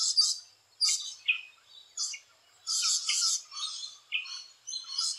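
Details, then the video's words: Nesting rainbow lorikeets calling at close range: loud, rasping, high-pitched screeches and squawks, some drawn out and others clipped, coming in quick, uneven bursts. "Rainbow Lorikeet Footage 3"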